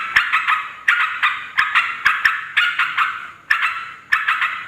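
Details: Yellow-vented bulbul calling noisily, used to lure wild females and males: harsh, bubbly chattering bursts, each about half a second long, repeated in quick irregular succession with sharp clicks at their onsets.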